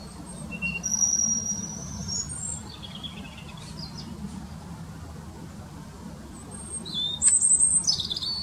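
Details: A robin singing from the same park tree for nearly five minutes: a high drawn-out whistle, descending warbled phrases, a pause, then a loud shrill closing phrase of sliding notes, with continuous low traffic rumble underneath.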